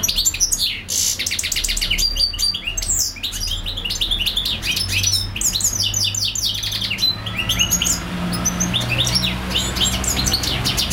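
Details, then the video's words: European goldfinch singing for hours non-stop, a long run of fast, high twittering and buzzy notes with sharp rising and falling whistles, tinkling trills packed closely together, faint low hum underneath. "European goldfinch singing/song"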